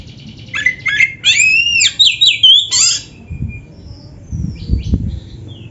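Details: Actively singing oriental magpie-robin with packed filler phrases: quick harsh chatters, then looping whistled slurs and a sweet upward note, fading after three seconds into faint distant twitters and low background thumps.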